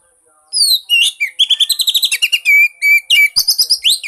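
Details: Oriental magpie-robin singing, meant to coax a mute bird into song. After a brief quiet start comes a loud, fast medley of high whistles, rolling trills and clear sustained notes in quick succession, with short breaks between phrases.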